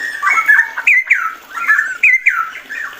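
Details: Cucak rowo (straw-headed bulbul) giving its rapid ropel song: rich, gurgling, slurred whistles that swoop down, repeated in quick bursts roughly twice a second, with a faint high background chatter.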